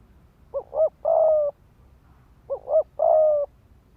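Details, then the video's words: Decoy spotted dove in rapid thúc gù cooing, used to arouse males to fight. Two phrases of two short rounded notes followed by one long even coo, about two seconds apart. "Tiếng chim cu gáy mồi đất Thúc Gù kích bổi máu chiến"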